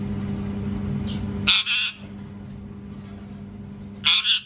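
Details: Parrot screams come in two paired bursts about two and a half seconds apart, each a rough, piercing double squawk over steady background noise.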